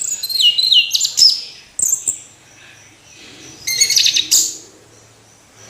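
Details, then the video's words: Orange-headed thrush singing: bursts of bright, high whistled and chattering notes, some sliding down, in two dense flurries separated by a quiet pause in the middle. "Anis Merah Kicau Sampai Teler"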